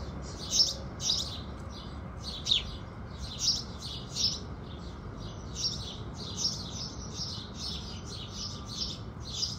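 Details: House sparrows chirping at sunrise, a steady stream of sharp, bright notes, louder at first and then softer and more crowded, with a faint low hum beneath.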